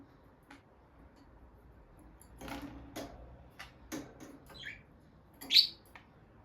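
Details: Peach-faced lovebird couple, a bonded caged pair by the nest box; sharp clicks and taps, then a couple of brief rasping chirps, one loud, high chirp near the end.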